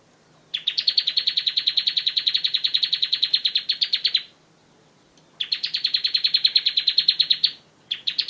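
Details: Bar-winged prinia singing ngebren style on a tutor recording: long rapid trills of high, evenly paced chips lasting several seconds each, divided by short silences, with a third burst starting at the end.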